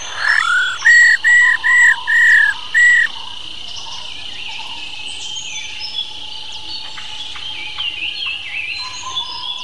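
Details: Female black-throated laughingthrush's "ro" call for stimulating male birds. A quick upslurred note, then five loud level buzzy whistles in the first three seconds. Afterwards only faint distant chirps and a constant high insect hiss.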